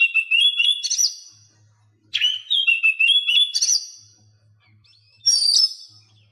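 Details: Oriental magpie-robin song used to coax mute captive birds into singing: three bursts of rich, warbled whistling with quick upward flicks, separated by short quiet gaps that hold a soft low electrical hum.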